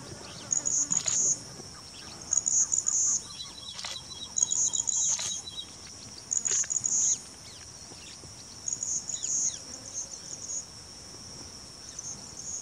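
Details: West Himalayan bush warbler singing in the grasslands of Manas, possibly breeding there, gives very high, insect-like buzzy bursts about every two seconds, over a steady high hum of insects and a brief trill.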